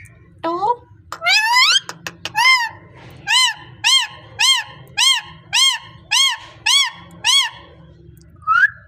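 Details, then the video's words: A parrot, said to be speaking, opens with a few harsh rising squawks, then settles into about ten evenly spaced arched, buzzy-toned calls, each under half a second, over a low background hum. "Amazing Parrot speaking natural sound"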